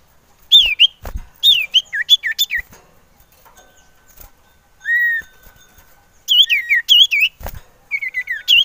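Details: Lure song of a male common iora said to want to mate: rapid warbled, looping whistles in quick bursts, a single long level whistle, then more twisting notes, with sharp clicks.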